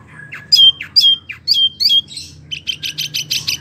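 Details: Kept wambi, a small one, singing actively in a rolling style: sharp whistled notes sliding downward, repeated about twice a second, then a fast run of high buzzy chips, over a faint low hum.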